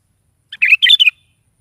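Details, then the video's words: Sooty-headed bulbul singing in the morning; one short bubbly phrase of three or four quick liquid, warbled notes after silence, then quiet again. "SUARA BURUNG KUTILANG GACOR DI PAGI HARI"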